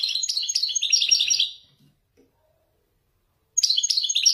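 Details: Wadani European goldfinch from Morocco performing traditional Marrakech 'nzoulat' descents: a fast, jumbled string of high, tinkling and buzzy twitters for about one and a half seconds, then silence, then the rapid chattering song resumes.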